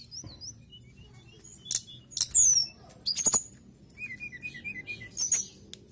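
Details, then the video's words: Mountain tailorbird in vigorous song: a thin, very high whistled series, then loud clicks and short shrill slurs, ending with a run of quick, soft, evenly spaced notes. "TLEDEKAN GUNUNG GACOR"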